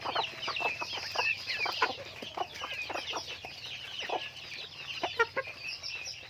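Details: A group of farm chickens with steady clucking and thin high peeps layered over each other, short sharp notes scattered throughout, one brief squawk toward the end.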